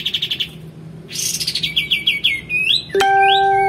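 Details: Male white-eared bulbul song used for training kacer and murai batu songbirds: quick repeated high notes, a burst of rough chatter, then a run of short falling whistles and a rising slur, followed by a steady electronic-sounding tone.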